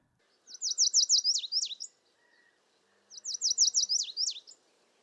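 Lazuli Bunting singing two bright, high, rapid phrases of sharp descending notes, each about one and a half seconds long, with a quiet gap between.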